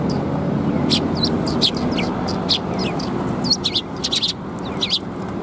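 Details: Several sparrows gathering to be fed at a Tenmangu shrine in Japan, 18 March 2021, give short, sharp, high chirps in irregular bursts, some doubled, over a steady low rumble of background noise.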